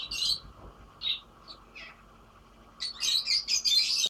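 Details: Lovebirds singing: bursts of sharp, high squeaky chirps and chattering, a few isolated notes early, then a dense run of rapid twittering toward the end, with a faint steady electrical hum beneath.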